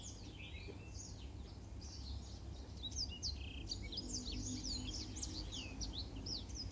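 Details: Black-throated canary singing a master song for canary training, a rapid run of high slurred whistles and short buzzy notes with barely a pause, set against constant low-pitched hum.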